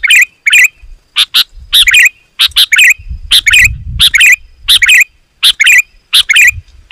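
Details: Sooty-headed bulbul song for luring wild birds: repeated short bubbly phrases, about one and a half per second, mixed with scratchy bursts, with a faint low rumble in the middle.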